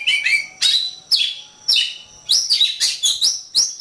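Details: Oriental magpie-robin singing for a training tutor recording: loud, varied whistles and chattering notes in quick phrases, about two per second, sliding between high and middle pitch.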